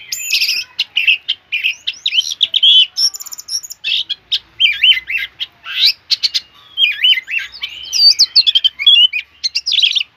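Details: Oriental magpie-robin singing vigorously: a rapid, varied run of whistled notes, sweeping rising and falling phrases, sharp chirps and short buzzy bursts, delivered in quick unbroken sequences with brief gaps, high pitched and clear with no other sounds.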